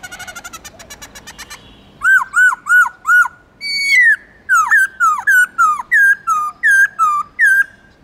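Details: Black-throated laughingthrush singing with many voices. A fast pulsed trill opens the phrase, then come repeated arched whistles, a long level note, and a rapid string of loud clear whistles that dip and rise, about two per second.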